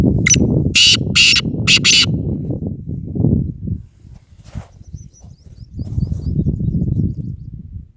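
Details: Black francolin kept as a pet in training, giving four loud harsh rasping notes in quick succession at the start over steady low rumbling background noise, followed by faint thin high chirps.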